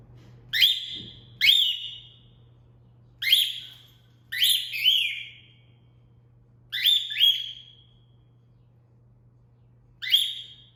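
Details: Owner-taught cat call from a female cockatiel kept indoors: loud, clear upswept whistles, single or paired, given every second or two, with a low electrical hum in the background.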